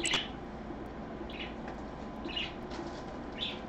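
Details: A parakeet gives four short, high chirps, about one a second, over a steady low hum of room noise; recorded on a Sunday afternoon, 24 August 2014, at 3 pm.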